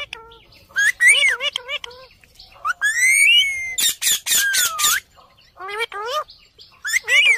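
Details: A pet Alexandrine parrot gives harsh, wavering squawks and rising, screechy whistles in quick bursts with short gaps; one stretch is a rough, broken rasp.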